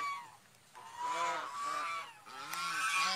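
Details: Swan calling with nasal, harmonic honks, each note arching up then down, given in three loose bouts across a few seconds, with a brief quieter gap early on and faint background hiss.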